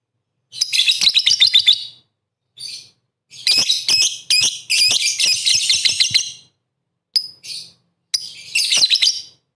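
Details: Lovebird song used to provoke rival lovebirds: bursts of fast harsh chattering and squeaky notes separated by short pauses, with a couple of thin high chirps near the end.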